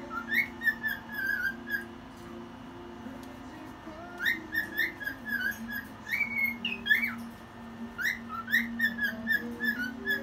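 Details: Pet cockatiel up at 1 a.m. singing: a long sequence of whistled notes, many rising slurs in rapid groups roughly two per second, broken by a brief lull, over a steady low background drone.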